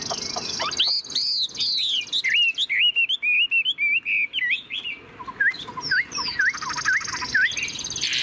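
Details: Chinese hwamei, a tame cage bird singing with a fanned tail: arched notes open into a fast string of looping whistles, then spaced hooked whistles over a buzzy trill.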